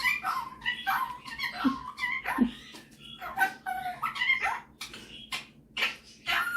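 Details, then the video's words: Pet male superb parrot showing off singing and mimicking at home; varied warbling whistles and harmonic chatter with a couple of low croaky notes, later harsh rasping bursts separated by brief pauses. "Superb Parrot Malibu showing off his singing and mimicking skills"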